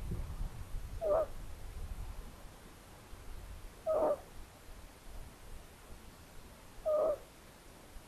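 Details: Long-eared owl at a nest in Tiszavasvári, Hungary, on May 9, 2022, after the oldest owlet fell out of the nest in front of its mother; three short, squealing mid-pitched calls about every three seconds over faint background hiss.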